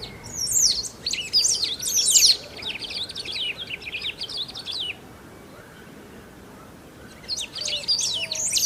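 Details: Brazilian great pampa-finch, described as rare, singing loudly and without pause: a long tumbling sequence of high chirps and slurred whistles, then a quiet stretch before another burst begins.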